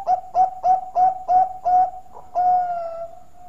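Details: Bangkok-type zebra dove with a melodious voice, used as a lure to prompt other birds to sing: six evenly spaced short coos, about three per second, then a longer drawn-out coo trailing off.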